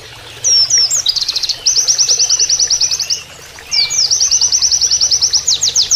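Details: Oriental white-eye in canary-like training song: curly whistled notes leading into long, rapid, high trills of evenly repeated chips, two runs of about 1.5 seconds, ending with louder sweeping notes; faint water below.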